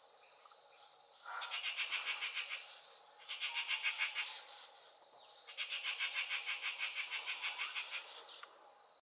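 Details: Changeable hawk-eagle with a full crop, mobbed by other birds at BR Hills on 22 Sept 2021, gives shrill, harsh notes in three quick bursts of about three a second over a steady high insect whine.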